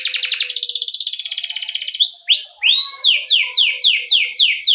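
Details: Canary singing a long rolling song meant to coax other canaries into singing: a steady buzzy trill for two seconds, then slurred rising notes and a rapid string of repeated downward-sweeping chirps.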